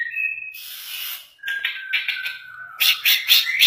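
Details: Canary from Banten, Indonesia, called the chattiest around, singing loudly: a steady whistle, a buzzy rasp, then a long level tone and fast rolling trills, close and clear with no other sounds.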